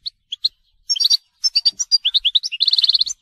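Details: Goldfinch song of the telqam type: spaced single chirps give way to rapid tinkling twitters and ends on a fast rattling series of identical metallic notes.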